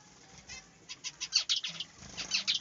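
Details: Budgerigars in a small aviary, chattering in short bright high chirps and clicks that grow busier and louder toward the end.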